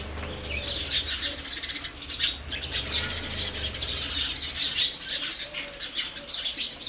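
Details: Continuous chatter of many house sparrows, high, rasping chirps overlapping without pause, over a steady low hum.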